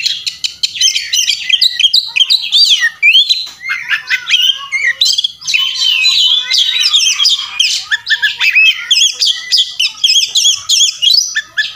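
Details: Fighting Oriental magpie-robin, its insistent song rich in mimicked phrases for tutoring: nearly twelve seconds of rapid, jumbled high chirps, trills and slurred whistles that barely pause.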